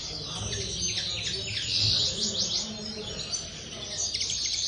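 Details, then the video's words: Common linnet in an aviary: quick high twittering with short rising and falling whistled slurs, delivered in a tumbling stream over low background hum. "corona pardillos"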